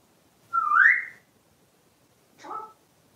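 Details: Pet parrot indoors, playing with a soft plush parrot toy: one loud rising whistled note, then a short lower harsh note after a gap of more than a second, in a quiet room.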